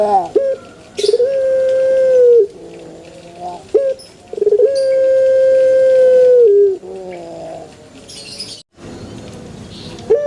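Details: Pelung chicken giving two long crows in a row. Each is a sustained, even, melodic tone lasting around two seconds that drops in pitch at its close, separated by quieter wavering notes and occasional faint rustling.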